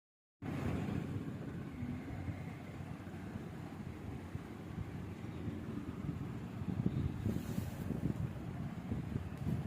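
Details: Steady low rumbling wind and vehicle-like noise fill the recording, with no animal voice heard.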